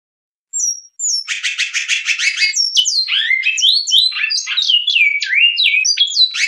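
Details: Bicudo, or great-billed seed-finch, in the Clássico Goiano Batuque line of song. Two short high whistles open into a rapid stuttering buzzy series, followed by a flowing run of clear whistled notes swooping between pitches. Quiet background.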